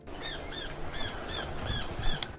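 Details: A male red-capped manakin's voice, not its wing sounds: five thin, high, arched squeaky notes, roughly every half second, over a steady low rumble.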